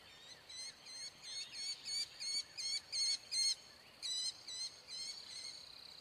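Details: American kestrel eating prey, giving a loud series of sharp, high notes with clear overtones, about three per second, some slightly upslurred, over a faint steady background hiss.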